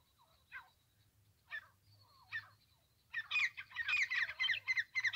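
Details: Francolin (teetar) call used for trapping: a few short harsh notes with a thin whistle in the first three seconds, then a loud, rapid run of raspy, harmonic calls.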